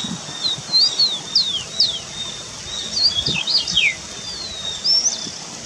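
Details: Wild starling calling in forest: a dozen sharp high whistles, mostly quick downslurs, grouped in clusters with brief pauses between, over a quiet natural background.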